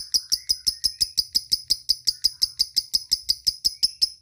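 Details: Lovebird ticking to call companions: an even string of sharp, piercing high chips, around five each second, steady in pitch and spacing over the whole clip.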